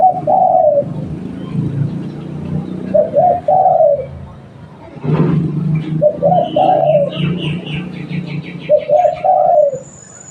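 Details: Local spotted dove used for luring, delivering four cooing phrases of stuttered notes ending in a longer falling coo, with low rumbling noise and faint chirping from other birds in the middle.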